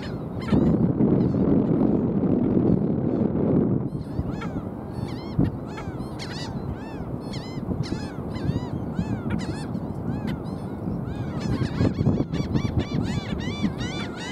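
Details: Black skimmers on South Padre Island, April 5, 2023, giving a long chorus of nasal, dog-like yaps about four per second, arched and overlapping from many birds, after an opening of heavy wind and surf rumble.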